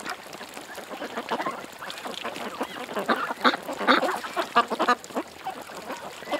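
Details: Ducks gathered at a creek give scattered nasal quacks, soft at first and then louder and closer in the middle. Short bursts overlap against a background hiss.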